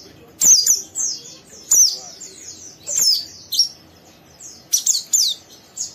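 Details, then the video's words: Young oriental white-eye in rough 'ngeriwik' song, encouraging a second bird; short series of high downslurred chirps, each burst starting with a sharp click, about a second apart. "Burung Pleci Muda Gacor merangsang Pleci Bahan ikut Ngeriwik Sampai Buka paruh"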